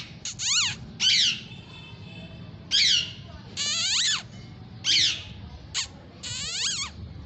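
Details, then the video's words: Pet Indian ringneck parrots, playing and fighting, give harsh, screechy squawks in short bursts of about half a second, roughly one per second, with steep up-and-down harmonic sweeps; some low background rumble. "Parrot natural Sound || Parrots are enjoying"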